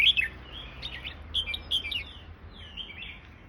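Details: Red-whiskered bulbul of the fancy class, giving a run of short bright chirping and warbled notes, loudest at the start and fading into softer twittering, over a low steady background hum.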